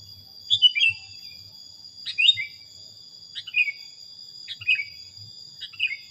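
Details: Training recording of a sooty-headed bulbul giving five short twittering phrases, each a sharp note falling into a lower slur, spaced roughly one second apart, with a continuous high insect drone behind.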